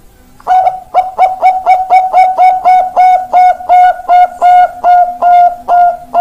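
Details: Zebra dove, Bangkok-type perkutut, with a long, loud song of about fifteen clipped, ringing coos in steady succession, the later notes slightly longer and evenly paced.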